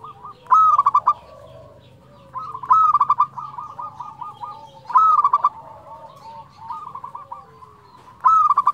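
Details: Zebra dove of local stock sings its fluting, lively cooing song, used to stir other doves into answering; four loud bursts of rapid coos about every two seconds, overlapped by softer rolling coos of more doves.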